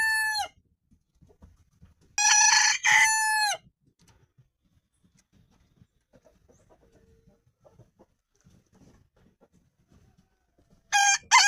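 Roosters crow in loud, harsh, multi-part bursts of about a second each, with a crow at the start, a double crow near two seconds, and another at the end; otherwise quiet.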